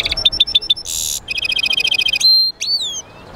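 A goldfinch mule sings a fast, bright medley of tinkling notes, a rapid buzzy rattle and clear, sliding whistles, all high-pitched.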